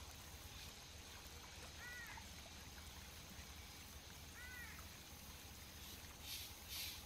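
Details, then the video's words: A pair of Brazilian teal near Arapongas, Paraná, Brazil give two short, arched, slightly nasal whistled calls about two and a half seconds apart over steady rushing water, with soft splashes near the end. "MARRECA-ANANAÍ (Amazonetta brasiliensis) Casal!! Pato Selvagem !!Cantando!!"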